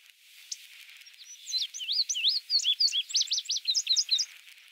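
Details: Singing male indigo bunting, Goose Lake Prairie, Illinois, 29 May 2016. High sweet song begins after about 1.5 seconds: varied upslurred and downslurred notes in pairs, then a faster chain of sharp peaked notes, faint background hiss.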